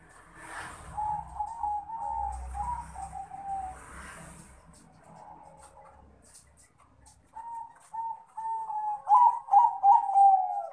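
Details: Crossbred Bangkok zebra dove, male, calling a rival with soft rolling coos over low rumbling background noise, then a louder, quicker bubbling coo phrase near the end.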